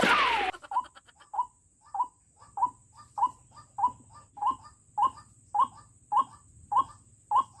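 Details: After an opening burst of loud noise, a lure White-breasted Waterhen kept to trap wild waterhens calls steadily, giving brief punchy notes each trailed by a quieter one, repeating about every 0.6 seconds.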